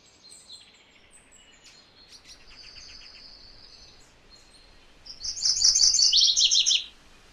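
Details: Song of a MacGillivray's warbler, a bright, rapid run of buzzy repeated notes in two parts, lower toward the end, preceded by softer thin calls over faint background hiss.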